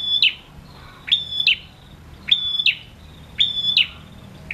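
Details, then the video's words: A male prinia in full song gives loud, sharp, high chirps that drop quickly in pitch, mostly in pairs, repeating about once a second against a quiet background; the recording is used to stimulate quiet prinias to sing. "Prenjak jantan gacor"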